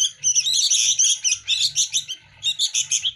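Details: Sooty-headed bulbul chicks compete for hand-fed food with almost continuous, rapid, high, grating chirps that blur together, then break into quicker separate notes.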